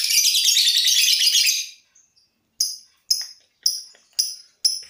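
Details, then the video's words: Lovebird ngekek practice ahead of a contest, meant to lengthen the trill: a sustained shrill buzzing trill lasting nearly two seconds, then silence and five crisp high chirps spaced about half a second apart. "lb ngekek sebelum ke kontes atur pernapasan lb dulu"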